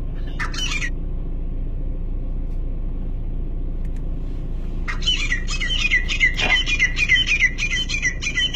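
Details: Grey Francolin in Pakistan, filmed in a hunting context, giving loud, harsh, rapidly repeated squawking notes after a brief opening burst, over a steady low rumble of traffic or engine noise.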